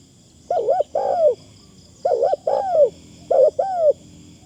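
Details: Caged decoy spotted dove giving thin-phrased cooing. Three close double-note phrases, each a short rounded coo followed by a longer falling one, repeat roughly every one and a half seconds against a faint steady hum.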